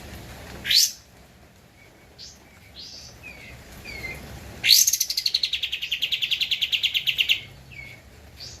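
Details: Javan white-eye song used as a master recording for training cage birds: a sharp high note, scattered short chirps, then a long rapid trill of about twenty-five fast repeated notes lasting nearly three seconds, ending with brief twitters.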